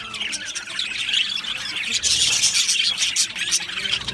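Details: Australian budgerigars in a colony aviary, busy high-pitched chattering that grows louder halfway through, with rapid repeated chirps and scratchy squawks layered together.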